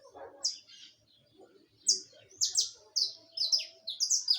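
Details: A saffron finch sings live, opening with a single high chirp, then after a pause a quickening series of piercing, falling chirps, often in close pairs.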